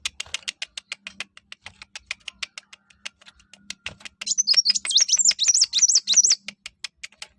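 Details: Olive-backed sunbird, locally kolibri wulung or mucang, singing to lure other birds into song: a steady series of sharp ticking clicks, then a rapid burst of high looping whistled notes in the second half.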